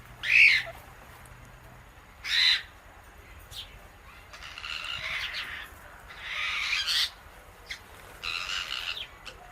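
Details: Pet Indian ringneck parakeet sharing guava seeds with an Alexandrine parrot; a few loud, harsh click-squawk bursts spaced about two seconds apart, then softer, longer scratchy rasps.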